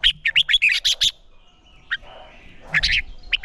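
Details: Red-whiskered bulbul competition song meant to provoke birds to sing: a rapid run of bright, ringing whistled notes, then a pause, then a few more scattered chirps.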